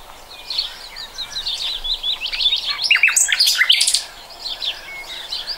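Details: Singing common nightingale, 2020, giving a string of quick high chirps that swell into loud, emphatic staccato notes, then fade to scattered soft whistles.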